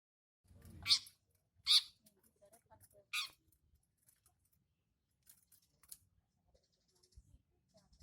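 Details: Young long-tailed shrike singing actively: three loud, harsh, broadband rasping notes about a second apart, followed by faint scattered ticks and soft chatter.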